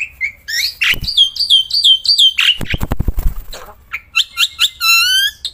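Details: Caged black-winged myna kept for song contests, singing outdoors and while held in hand: loud, nonstop song of repeated whistled, downslurred notes and harsh squawks, with a burst of low thumping knocks midway.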